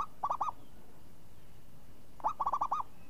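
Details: Champion zebra dove singing in the crisp, swinging style called renyah ngayun: two rolling cooing phrases, each a rising opening note and a fast run of four or five bouncy notes, separated by a quiet pause.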